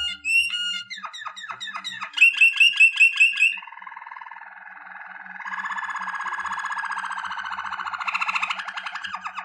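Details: Malinois Waterslager canary in strong song: quick dry trills and falling chirps, a run of bright repeated notes, then a long low bubbling roll that climbs into a higher, louder trill near the end.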